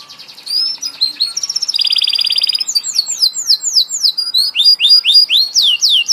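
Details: Singing canary: short whistles, a steady high trill, a harsh buzzy rattle, then a long string of rapid descending sweeps repeated several times per second.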